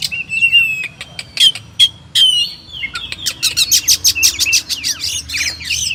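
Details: Oriental magpie-robin, known locally as kacer, giving a varied, loud song used as a master recording for training champion birds: clear whistled notes near the middle range, then rapid sharp chips and buzzy rising phrases.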